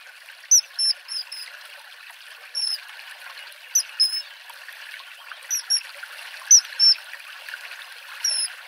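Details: Common kingfisher at a river in Wittlich, 2017: short, sharp, high whistled notes, single or in quick pairs, scattered irregularly over a steady background of rushing, trickling water.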